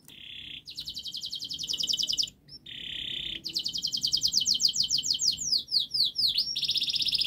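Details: Long, fast canary song for teaching juvenile canaries: buzzy trills alternating with rapid rattling rolls that accelerate into looping whistled notes, with a faint low hum behind.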